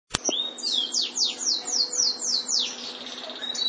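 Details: White canary singing a rapid series of buzzy, downward-sweeping notes repeated about four times per second, ending in a trilled rattle, with a sharp click at the start.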